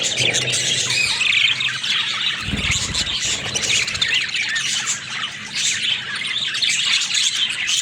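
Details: Pet budgerigars chatter without pause, mixing high squeaky whistles with scratchy warbles; a short low knock sounds near the middle.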